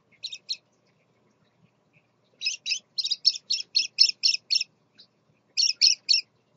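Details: Scarlet-chested parakeet father together with his babies, captive: a run of short, raspy, high chirps given in rapid bursts, about ten in a row, with brief pauses between groups and otherwise quiet surroundings.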